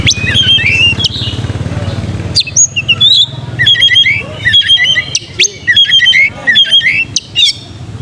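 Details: Oriental magpie-robin singing to stir young birds into fighting and tail-spreading: varied sharp chirps, whistles and quick trills in bursts separated by short gaps, with a soft low hum behind.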